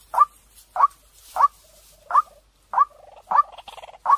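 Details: Clear-voiced white-breasted waterhen lure call: strong, sharp notes repeated at a slightly uneven pace, separated by soft rapid pulsed chatter, with almost no background noise.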